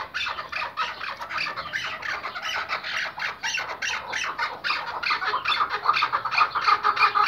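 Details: Iraqi white tethered hunting Chukar partridge calling: a dense, fast stream of rough, clucking notes, irregular at first, turning into sharper repeated chuck notes near the end.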